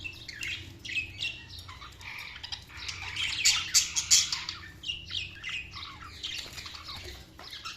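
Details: Budgies chattering continuously in high, buzzy and squeaky chirps, warbled phrases rising and falling, busiest and loudest in the middle.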